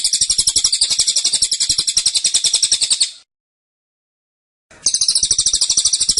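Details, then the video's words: Cililin singing in the dense, insistent 'tembakan' style: a rapid string of high, sharp chirps at about four per second, broken by a short silence before the burst resumes. "Tembakan Cililin Suara Rapat Dan Ngotot"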